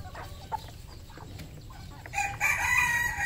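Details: Red junglefowl crowing on a farm in Cambodia: faint clucks at first, then a loud harmonic crow starts about two seconds in and is still going at the end, over low background rumble.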